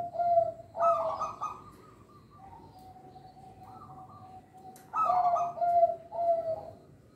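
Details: Zebra dove of local stock singing, meant to stimulate reluctant captive doves. Its throaty rolling coo opens the song, followed by a long steady hum-like tone, then another burst of warbling coo notes.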